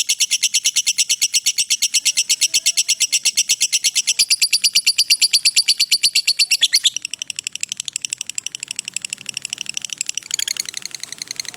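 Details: A lovebird's extended 'ngekek' trill for use as a master recording: a fast, very regular stream of high chattering notes lasting about seven seconds, then continuing quieter and thinner after a brief break, with a loud burst near the end.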